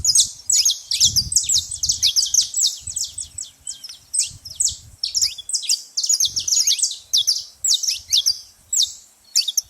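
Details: Saffron finch making much noise at a feeding spot, a long busy stream of piercing high chirps, densely packed and overlapping, with occasional soft low thumps.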